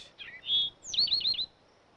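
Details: An Eastern towhee, a bird of dense brush, thickets and forest edges, sings two bright, clear introductory notes, then a quick ringing trill of about five rapid, high, slurred notes, the familiar drink-your-tea pattern.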